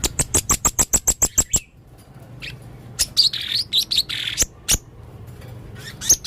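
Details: Male blue-crowned hanging parrot, full of odd sounds: a quick even run of about ten sharp ticking clicks, then pauses and buzzy high squeaks, with a low hum behind.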